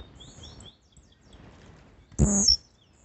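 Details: Blue-black grassquit (tiziu) singing actively: a single short, explosive buzzy note ending in a thin high squeak, after faint high chirps from other small birds.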